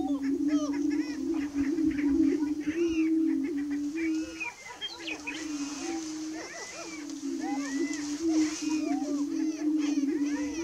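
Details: Greater prairie chickens calling before sunrise on 30 March 2018: an unbroken low hum with many quick, arched cackles and whoops layered over it, some higher chirps in the background.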